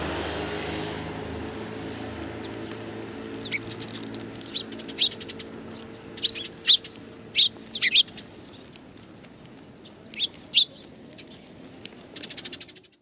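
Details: Sparrows, including one with a hurt leg, greeting the recordist on the way out, 7 April 2020; after a noisy start, loud high chirps arrive in bursts, with a fluttery rustle near the end.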